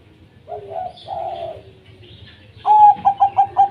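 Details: Local wild-type zebra dove song, used to coax reluctant doves into singing: soft low coos at first, then one loud clear note followed by a quick run of five pulsed, bubbling notes at steady pitch.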